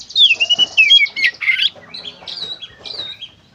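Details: Oriental magpie-robin (kacer) pouring out a 'gacor konslet' phrase: loud descending whistles and a rasping squawk, followed by quieter warbled notes at a high pitch.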